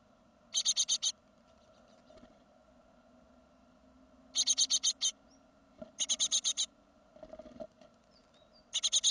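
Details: Great tit around the fledging of a second brood in 2016, giving quick, harsh bursts of five or six high ticking notes, repeated every few seconds over a low, steady background hum.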